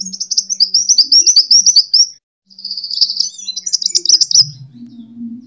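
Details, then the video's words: Sunbird fighting song (kolibri tarung) used as a lure for training birds: a quick series of high looping chirps, a short pause, then buzzy high trills and sharp chips, with a low hum beneath. "Suara: -*BuRunG*- [Pancingan] ( KOLIBRI TARUNG )"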